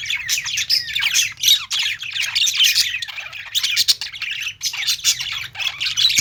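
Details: Budgerigars kept in a pet store, many warbling at once: a steady wall of scratchy twitters, buzzy notes and squeaks with only tiny gaps, over a quiet low hum.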